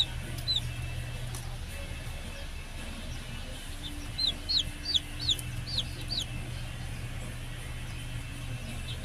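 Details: Rhode Island Red baby chicks of a heritage breed settling in together: a brief burst of rapid, high falling peeps near the middle, sparse peeps elsewhere, over a steady low droning hum.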